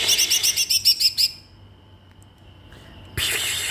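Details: Caged Oriental magpie-robin, left alone with only pellet feed during the holiday homecoming, singing wildly: a fast run of high, sharp, repeated chirping notes, then a quiet pause and a sudden loud burst of noise.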